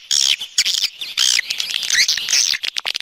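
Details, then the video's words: Swiftlets heard in an external sound recording: loud, rough high chatter in bursts separated by short silences, with curving, squeaky notes sweeping up and down. "Free Swiftlet External Sounds"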